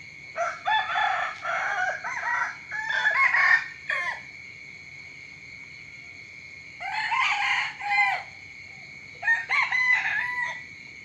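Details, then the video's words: Morning chicken crowing, several roosters in turn: long multi-syllable crows with rising and falling harmonic notes, separated by pauses, a constant shrill insect hum behind. "เสียงไก่ขันตอนเช้า เสียงไก่ขันฟังต่อเนื่อง"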